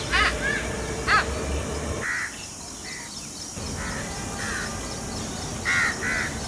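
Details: A male Indian peafowl (peacock), filmed at a zoo and shown dancing, gives harsh, nasal honks in short bursts, about one each second, some doubled, over a steady background hum.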